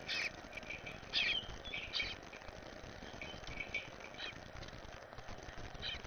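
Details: Eastern Bluebird fledgling from the first clutch, visiting a yard with its parents and being fed, gives short, harsh, high chattering bursts at irregular intervals about once a second, over a steady background hiss.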